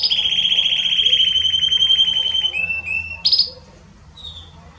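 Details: Belgian canary singing powerfully to warm up a canary, holding a long even buzzy trill, then short lower chirps and a sharp high burst before fading into quieter twitters.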